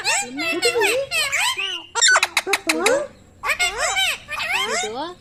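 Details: Pet Indian ringneck parrot talking indoors in a small room: rapid, speech-like phrases with bending, harmonic-rich syllables in short bursts, a cluster of sharp clicks near the middle, then more chattered word-like sounds.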